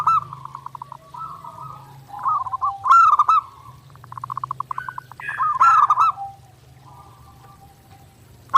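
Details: Zebra dove in continuous song for daily practice: pulsed cooing runs and loud rolling phrases, some with a rising lead-in, separated by soft pulse trains, over a faint low hum.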